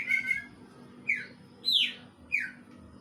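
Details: Greater green leafbird song mimicking a kingfisher: a steady whistle followed by three sharp, downslurred notes spaced about half a second apart, over a low hum.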